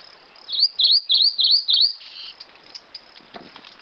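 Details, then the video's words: Rufous-crowned greenlet song: five bright, high, V-shaped whistled notes repeated about three times a second, then soft ticking and faint insect-like background sound. "Canto do Pássaro Verdinho-coroado!"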